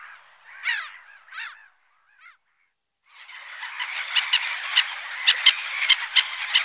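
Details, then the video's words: Black-headed gull giving two harsh, nasal, down-slurred calls, then a short faint note, followed by a dense wash of overlapping screeching calls from many gulls that grows louder with sharp clicks toward the end. "Black-headed Gull / Larus ridibundus"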